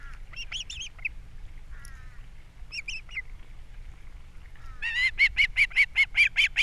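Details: Osprey pair at a Captiva nest in April, fish brought in and chicks fed; soft scattered chips and faint whines, ending in a loud regular run of shrill chirps.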